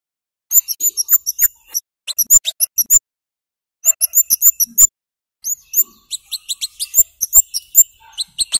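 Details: Flowerpecker singing energetically, a lure recording of loud 'cit' notes meant to get young birds singing. Very high, thin ticking chirps come in quick bursts of four to eight, separated by short pauses, with faint clicks underneath.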